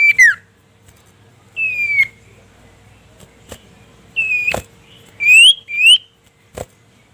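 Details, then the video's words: Common iora (cipoh sirtu) calling a rival, used as training song to stir a bird up: short clear whistles, some sliding downward and others rising, spaced with gaps of about a second, plus a few sharp clicks. "masteran cipoh sirtu memanggil lawan"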